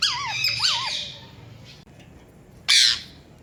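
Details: Rose-ringed parakeet, a ringneck kept as a talking pet, calling indoors: wavering whistled notes followed by a harsh, loud screech near the end, with a quiet pause between.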